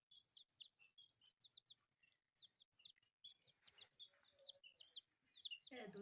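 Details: A group of colourful baby chicks eating rice utter shrill arching peeps in quick series; some handling noise and a rustle toward the end.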